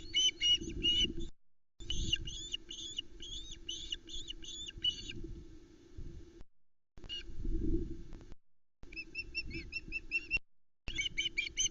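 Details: At the Loch Arkaig nest in July 2020, ospreys call during a fish delivery while chicks squabble over a trout: bursts of quick, high, repeated chirps separated by pauses, alongside low rumbling wind.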